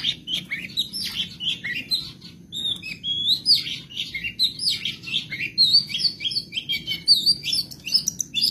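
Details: Long-tailed shrike of the Madura type, kept as a songbird, in a full 'isian sekebon' song: a continuous, varied, high chatter mixing buzzy notes, slurred whistles and twitters.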